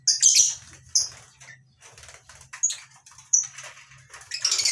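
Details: Lovebirds of several species in a colony aviary in the morning give shrill, harsh chirps in short irregular bursts, several birds calling, with bouts of wing flutter between calls.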